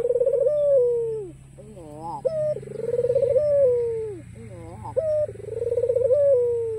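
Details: Repeated coos of a white black-collared ringneck dove, calling so that rival doves will answer: throaty, vibrating, gently falling coo phrases roughly every three seconds, each separated by brief up-swept notes, over steady low hum.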